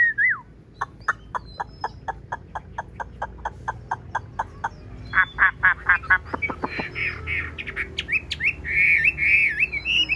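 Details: A large, tame, blue-eyed caged Chinese hwamei sings indoors in a dark house, apparently singing against a phone: a fast series of sharp repeated whistles, then loud rich warbling phrases; people talk faintly underneath.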